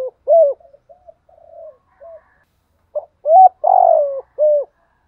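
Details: Spotted dove cooing, used as a call to stimulate another dove to coo: low, hollow coo notes in a short phrase, with soft quieter notes between them and a longer, rougher, drawn-out coo near the end.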